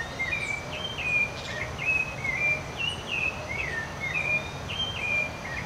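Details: Rufous-bellied thrush singing in the Cerrado, a melodious song: a series of short whistled phrases, slurred up and down, repeated in quick succession over a steady hiss of background noise and faint insects.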